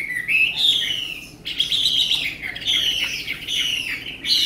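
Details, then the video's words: Caged, tame Chinese hwamei singing loud, full-toned whistled phrases, each sliding downward, delivered in bursts separated by brief gaps. "họa mi ccdv1121 thuần đẹp giọng hay quá"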